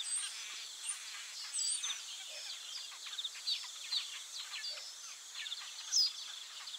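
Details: Noisy group chatter of Taveta golden weavers, with clipped scratchy chirps and buzzing bursts. A few louder notes stand out near the end, over a steady high insect tone.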